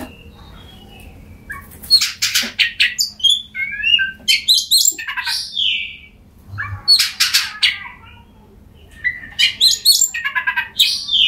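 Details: Song of an Oriental magpie-robin used to trigger singing in silent birds: bursts of rapid harsh notes and descending whistles, separated by quiet gaps of a second or two.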